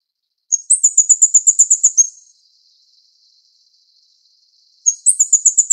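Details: Feeding chicks, a plain flowerpecker (Dicaeum concolor uchidai) from Taiwan utters a quick string of thin, very high clicking notes, then silence with faint hiss before another run starts.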